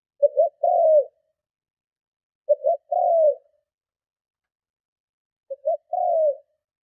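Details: Strong provoking coos of a spotted dove meant to lure rival doves; three phrases, each two quick low notes followed by a drawn-out descending coo, spaced about two and a half seconds apart with nothing else heard.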